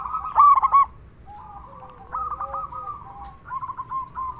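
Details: Local zebra dove, loud and singing often, used to coax other doves into song. An opening loud trill of rapid coos is followed by softer, drawn-out cooing and short rolling phrases.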